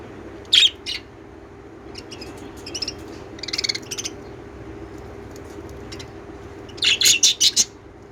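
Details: Lovebirds chirping: sharp, high chirp bursts in scattered clusters, ending with a fast run of about six chirps, over a steady low hum.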